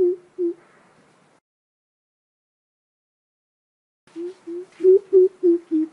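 A young greater coucal gives deep, hollow hoots, two at first, then six more in a quick even series after a pause.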